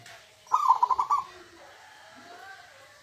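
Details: Local wild-type zebra dove giving its huuurrr coo: one short phrase of five rapid, soft, throbbing notes, followed by quiet.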